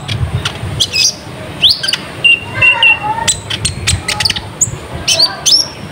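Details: Sunbird known locally as konin, singing as a lure for wild birds. Thin high whistles and upward-flicked notes are interspersed with short lower warbled phrases, repeating irregularly over faint low noise.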